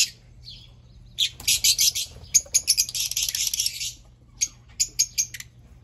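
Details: Fischer's lovebirds chattering with a stream of shrill, pulsing squeaks that merge into a continuous screechy passage, followed by a few separate sharp chirps.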